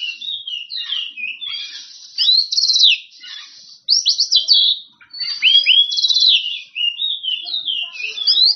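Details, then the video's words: Oriental magpie-robin in full, loud song meant to provoke rivals into replying: flowing whistles, steep upward swoops and harsh buzzy bursts, in three main outbursts separated by brief pauses. "Kacer Gacor On Play Ngeplong Manggil Lawan"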